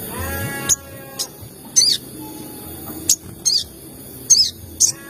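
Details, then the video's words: Crimson sunbird calls used as a lure to provoke other sunbirds into calling: short, sharp, very high chips given singly or in quick pairs at irregular gaps, over a faint lower hum. "PANCINGAN TERBARU MERANGSANG SEMUA SOGON AGAR CEPAT BUNYI || SEKALI PUTAR CUIT CUIT SOGON EMOSI"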